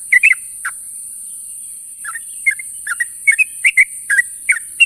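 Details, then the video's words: Morning calls of a sooty-headed bulbul summoning companions: a brief burst of chirpy notes, a pause of over a second, then quick warbled couplets returning in a steady series against constant high hiss. "suara burung trucuk memanggil kawan di pagi hari"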